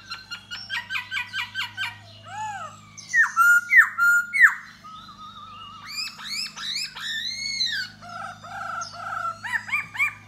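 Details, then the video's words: A Da Bò laughingthrush sings and dances to draw a female: rapid stuttering notes, three loud sharp falling whistles, a long level whistle and varied warbling phrases, over a steady low hum. "Khướu Da Bò Hót Múa Dzụ Mái"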